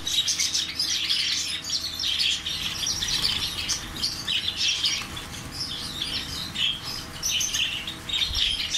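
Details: Parrot chatter: a busy, overlapping mix of harsh, high squeaky notes rising and falling in loudness, with a low background hum throughout.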